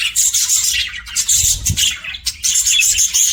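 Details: Budgerigar happy chirping, loud continuous high chatter with thin whistled tones and buzzy warbles, a few soft low knocks in the background.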